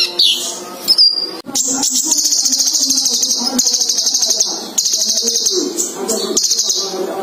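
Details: Caged male and female sunbird pair. Long, extremely high, rapidly pulsing trills run for several seconds at a time, broken by brief pauses, over background music.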